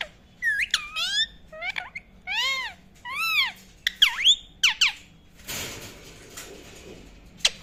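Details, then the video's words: Indian ringneck parakeet chirping loudly in a fast run of arched, sharply rising and falling squawky whistles, about ten notes in five seconds, followed by a burst of broad rustling noise and one final high note. "indain ring neck chirping sound"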